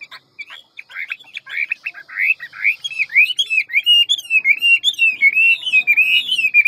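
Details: Hwamei singing in the 'ngũ trường' style with a forest voice, quick and many-voiced, from a big handsome bird: a loud continuous run of varied whistled phrases, slurred up and down, in a rapid unbroken flow.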